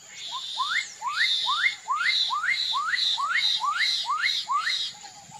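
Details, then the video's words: Rhythmic Black-capped donacobius song: about ten sharply rising whistles repeated roughly twice a second, each paired with a grating buzzy overtone, steady and loud throughout, then a soft trailing note. "CANTO do JAPACANIM (DONACOBIUS ATRICAPILLA) BLACK- CAPPED DONACOBIUS, BATUQUIRA, CORRUPIÃO-D'ÁGUA"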